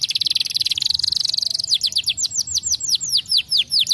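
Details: Canary song used to train young birds: a fast buzzy rolling trill for over a second, then a slower run of loud descending whistled notes repeated several times per second.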